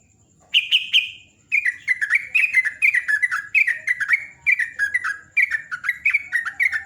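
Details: Morning song of a sooty-headed bulbul, a long lively sequence of quick, liquid chirps in rolling descending pairs, one drawn-out note first, then fast repeated phrases for about five seconds.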